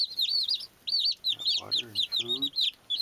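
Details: Playing baby chicks give loud, high, downward-curving peeps in quick succession. Lower, grating harmonic sounds appear briefly in the middle.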